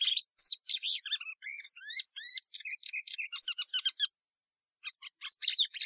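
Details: Plumbeous seedeater song: a rapid, varied run of high chirps, trills and short whistled slurs, some notes dipping lower, pausing briefly near the end before more quick high notes resume; no other sounds heard.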